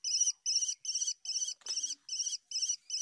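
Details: American Kestrel, a bird of southwest Ohio heard less often than the red-tailed hawk, giving a rapid, shrill klee-klee-klee series, about eight harsh high notes in three seconds, briefly interrupted by a faint sweeping sound.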